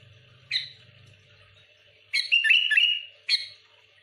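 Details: Sooty-headed bulbul pouring out a rapid song meant to pressure and provoke rivals: a lone chirp, then a dense run of warbling, up-and-down whistled notes, followed by another sharp chirp; low humming early on.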